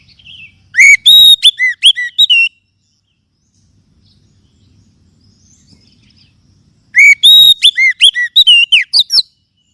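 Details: Oriental magpie-robin song played to lift the spirit of caged birds: a brisk whistled phrase of sweet, looping notes, about four seconds of near silence, then a second lively burst.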